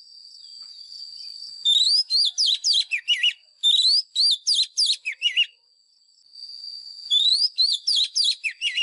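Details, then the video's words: Fighting-style lure song of a White-rumped shama, played to train caged birds: two fast bursts of varied, sharply modulated whistles, a pause, then the phrase starting again, with a constant high-pitched tone behind. "Chòe than mồi # Chòe than mồi Hót đấu CHIM RỪNG || Luyện giọng chòe than hót"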